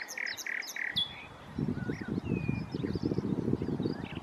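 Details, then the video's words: Common nightingale at Challow Hill, Corfe, on 4 May 2015; three loud repeated clipped notes, then scattered softer varied whistles and chirps, with low rumbling noise throughout the second half. "Nightingale - Challow Hill, Corfe - 04/05/15"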